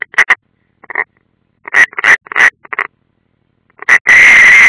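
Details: At a nest camera in Latvia's Ādaži training ground on 30 June 2016, European rollers give clipped grating calls in quick pairs, ending in one long continuous harsh rasp.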